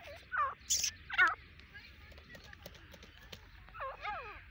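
Grey francolin giving a quick burst of three loud, harsh, ringing notes, then softer rising-and-falling calls after a pause, over a low background hum.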